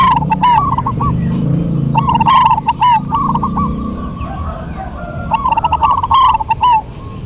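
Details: Duet of local zebra doves in full song: bubbling, trilled coo phrases given in quick runs, one bird answering another, a pause midway, then a fresh run of phrases over a low hum.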